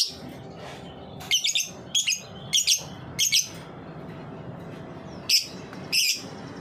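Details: High, clipped ticking chirps from a lovebird's ngetik song, a lure for young lovebirds to sing, coming in paired bursts about every half second, then two more spaced notes.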